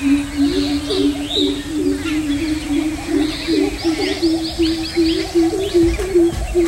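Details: Greater coucal giving deep, hollow 'coop' notes, about two to three per second in a steady series; the higher background chirps are large grey babblers alarm-calling to harass it, though a rufous treepie is also named as calling.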